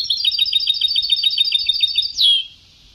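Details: European goldfinch in an old Sebta (Ceuta) singing style: a fast, rolling trill of tinkling twitters lasting two seconds, ending in a single long descending slur, then quiet.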